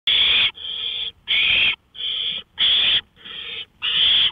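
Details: Owl calling from a porch at 1:53 AM on May 5, 2013: seven harsh, hissing bursts of about half a second each, run almost together, alternating loud and slightly softer, with quiet night background.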